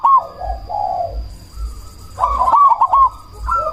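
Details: Cemani zebra dove singing loudly as a lure to stir rival doves to reply and raise breeding drive; soft low coos give way to a sharp clicking burst and rolling cooed phrase, with a constant high tone and faint low pulses.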